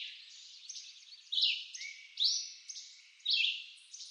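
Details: Red-eyed vireo in eastern North American woodland giving three short, high slurred phrases over about four seconds, with a smeared echo filling the gaps between them.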